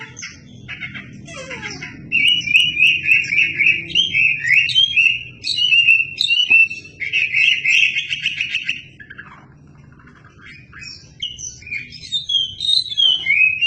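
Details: Wambi in full, lively song used for tutoring shamas: long runs of rapid varied chirps, trills and whistled notes in bursts separated by short pauses, with a low background hum.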